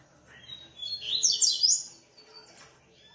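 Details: Double-collared seedeater (coleiro) from a Brazilian breeding aviary, giving one short burst of very high, rapid, trilled and slurred notes, then a faint follow-up note.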